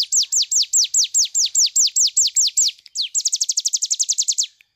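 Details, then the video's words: Cigun bird in 'nembak' song for tutoring other birds: evenly spaced, loud, high downward-sweeping whistles, about four per second, then switching to a faster, tighter burst of shorter notes. "cigun nembak nembak cocok buat masteran"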